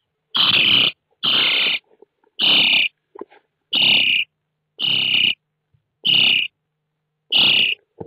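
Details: Starling chicks calling inside a nest box watched by an IP camera, 29 June 2017. Seven loud, harsh, hissing-rasping bursts, each about half a second long, come at fairly even intervals separated by silence.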